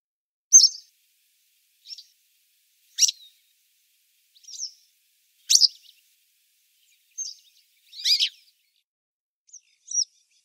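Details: A grey wagtail on the Lieser river, 2017, gives sharp, high, metallic 'tsit' calls, single or doubled, about eight in ten seconds at an uneven pace, against a quiet background.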